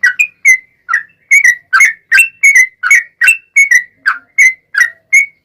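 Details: Lure song of an active yellow-vented bulbul, 'ropel panjang', meant to prompt replies from other bulbuls: bubbly, slurred whistled notes in quick pairs and singles, steady and unbroken.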